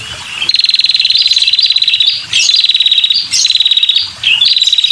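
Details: Loud, close female red-headed prinia calling persistently to draw in males: long, rapid, machine-gun-like trills at a high pitch, nearly a second each, separated by short upward chirps.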